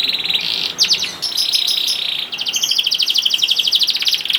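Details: Juvenile canary song used to coax silent canaries into singing: sustained high trill, short sharp notes, a stuttering phrase, then a rapid rhythmic rolling trill to the end.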